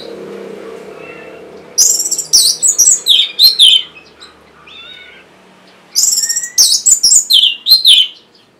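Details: Orange-headed thrush song used to get stuck or lazy birds singing: two bursts of loud, fast, varied high whistles and trills, separated by a softer interlude of lower slurred notes.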